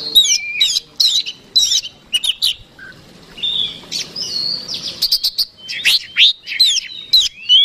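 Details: Combative Oriental magpie-robin song played to provoke opponents: rapid chattering phrases of sharp bright notes and clicks, a raspy buzzing passage midway, then more energetic whistled bursts rising to high pitches.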